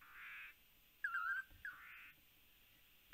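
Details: Lance-tailed manakin call from Panama, caught by a live camera: a short, wavering whistled phrase, then a brief upslurred note leading into a soft buzzy rasp, with another buzzy sound heard before it.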